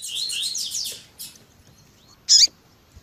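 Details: Double-collared seedeater in the tui tui zel zel style with female calls, made to stimulate males. A rapid run of high warbled notes ends, then one loud sharp chirp follows after a pause.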